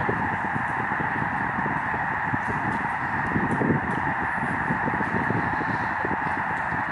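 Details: Thousands of migrating Canadian snow geese on Lake Springfield, Illinois, seen from Lincoln Memorial Garden: an unbroken wall of overlapping honking, steady throughout, with a brief louder burst of calls near the middle.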